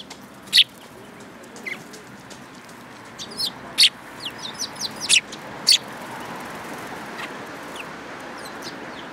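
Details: Sparrows chirping: scattered short sharp high chirps and a few thin descending notes, irregular, over a soft steady background hiss.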